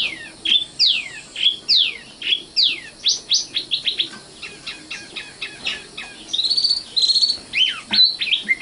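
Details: Nightingale song (Luscinia megarhynchos, Indonesian sikatan londo): repeated downslurred high whistles, a stuttering series of short sharp notes, then thin high notes and quick chirps, all rich and varied.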